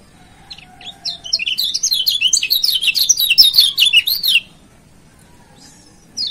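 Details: A Lombok yellow white-eye (kecial kuning), in a recording used as a master song and lure, pours out rapid, high twittering of sliding, rising and falling notes for about three seconds, then goes quiet before a brief final phrase.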